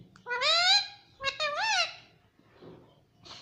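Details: Talking parrot voicing a drawn-out, rising wordlike note, then a brief pause and a second wavering syllable, mimicking mummy; nasal, harmonic tone indoors.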